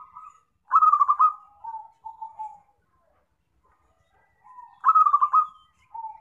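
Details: Zebra dove lure call for trapping: soft lead-in notes, then a loud quavering rolled coo followed by two lower drawn-out notes, the phrase repeated after a silent gap of about two seconds.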